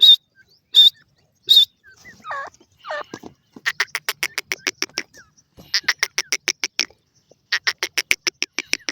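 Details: Grey francolin; three sharp high whistled notes, then a couple of lower looping notes, followed by rapid runs of clipped, harsh repeated notes in quick series.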